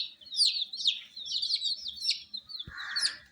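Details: Baby domestic chickens (colour chicks), kept warm indoors, utter loud piercing peeps that fall in pitch, tightly packed. A brief thud and one soft hissing burst come near the end.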